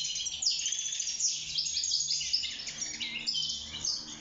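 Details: Caged wild European goldfinch singing while courting and building a nest: lively, high, chattering twitters mixed with short trills and a few sharper chirps, delivered continuously.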